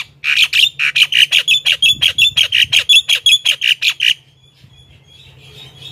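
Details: Javan myna calling to attract wild birds of its kind: a rapid, even run of about sixteen grating, buzzy notes over four seconds, then a quiet fading tail.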